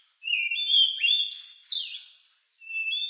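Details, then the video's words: Oriental magpie-robin's strange lovebird-like song, used to prompt other birds to sing: a long, pure whistled phrase climbing and then sliding down, a short gap, then a new whistled note. "Suara Burung Lagu Unik Kacer Ini Cocok Untuk Pancingan"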